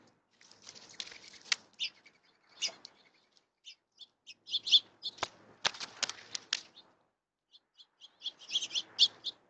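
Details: Birds active on a rainy day, with bursts of high, thin chirps and buzzy twitters coming in clusters and separated by short pauses, plus brief rustling or flapping noises.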